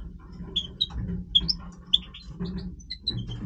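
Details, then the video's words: European goldfinch of the Major type in breeding voice: sharp, high chip-like notes and short tinkling phrases delivered in bursts, with a continuous low hum behind. "Stieglitz Major Breeding Voice - singing Goldfinch"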